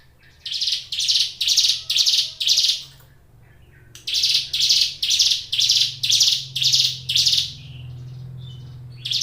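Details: Caged Hill Prinia (ciblek gunung) singing vigorously: a burst of about six harsh buzzy high notes repeated twice per second, a short gap, then another run of similar notes, with a faint low hum behind.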